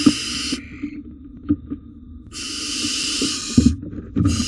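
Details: Wild barn owls at a monitored nest box during a food delivery of rodents; long harsh, breathy hissing screeches broken by pauses, with thumps and scuffling at the nest.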